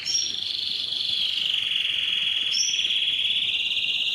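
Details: Powerful canary singing meant to prompt males into song: a long continuous high buzzing trill held steadily for several seconds, with two short brighter notes over it, no other sounds.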